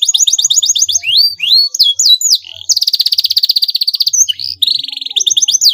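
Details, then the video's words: Canary singing to provoke a rival into replying: quick repeated rising whistles, a short twittering section, a fast pulsing trill lasting over a second, then slurred notes and another trill. "pancingan bunyi kenari ini sudah terbukti ampuh membuat lawan tatah langsung respon"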